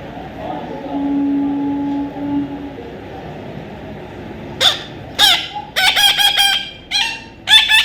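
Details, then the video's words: Young parrot calls: a quiet stretch with a faint low steady tone first, then loud raspy squawks in quick bursts during the last three seconds. "natural funny parrot sound"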